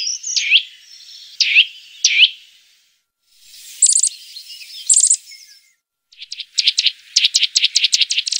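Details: Eurasian nuthatch sounds used as a lure: three loud, down-slurred whistles, then short, dry chattering bursts, followed by a fast, high series of clipped notes.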